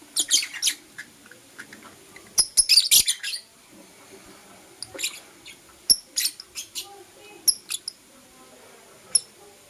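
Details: Lovebirds, blue opaline and euwing opaline, chirping in the morning: bursts of sharp high chirps and squeaky notes, clustered at the start then scattered singly every second or so against a quiet background.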